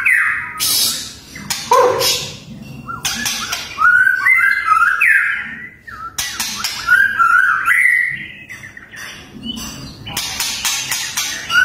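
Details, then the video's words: A white-rumped shama sings fierce 'tembakan' bursts used as competition material. Loud, varied whistled phrases and rising warbles alternate with abrupt harsh, scratchy blasts, and the song runs almost continuously for the whole stretch. "MURAI BATU TEMBAKAN TERGANAS"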